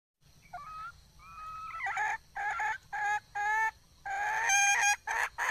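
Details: Red junglefowl hen in the wild: soft whistled notes rising into loud, drawn-out harsh cackles and clucks.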